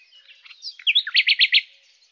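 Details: Common nightingale (Luscinia megarhynchos) song fragment: soft twittering leading into a slurred whistle, then six loud, evenly spaced, repeated notes in quick succession, fading out quietly.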